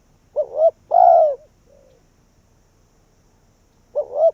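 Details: Decoy spotted dove calling wild doves in: a short two-part note then a long drawn, slightly falling coo, a faint softer coo after, and another phrase beginning near the end.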